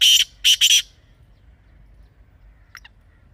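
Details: Partridge call: three loud harsh notes in quick succession, then silence with one faint short note later.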